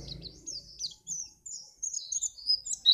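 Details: White-eye song played to get other birds singing for contests: a quick, unbroken run of thin, high twittered notes, sliding up and down in short bursts, with a faint low rumble at the start.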